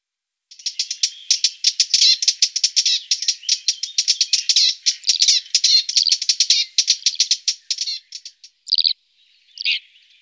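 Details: A red-backed shrike (Lanius collurio) in central Brabant, Netherlands, gives a fast, harsh chattering series of dry, rasping notes for about seven seconds, then a few separate scratchy calls.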